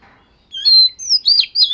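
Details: Oriental magpie-robin of the fish-scale type doing daily voice training: a long pure whistle, then higher gliding notes building into a buzzy, warbled ending.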